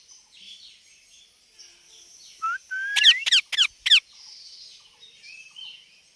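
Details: Talking parrot: quiet start, a short whistle and a rising glide, then four quick, harsh squawks in a tight burst before fading to near silence.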